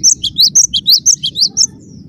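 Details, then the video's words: Cinereous tit, tight 'rapat' singing: a quick string of about ten sweet, high, upslurred chirps lasting under two seconds, then quiet, with a faint hum below. "Suara rapat +GACOR banget, gelatik batu gacor"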